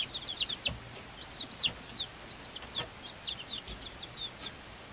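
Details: Chicks of the Swedish Flower Hen breed, five weeks old and hatched 26 February 2022, alongside a same-age silkie chick: rapid, bright peeps sliding downward, clustered at the start and continuing steadily throughout.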